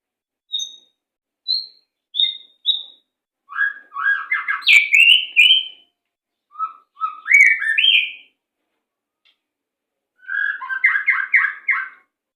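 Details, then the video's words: Master recording of white-rumped shama song, 'macet sepid rapat' style, used to train captive birds: short high single whistles, then dense fast warbled and trilled phrases rising and falling, ending with a rapid stuttering trill. "Masteran Burung Murai Macet Sepid Rapat"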